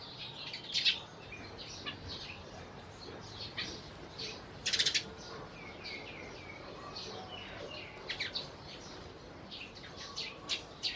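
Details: A flock of sparrows in Burma with loose, scattered chirps and a few louder clustered bursts, short notes spread through a quiet background.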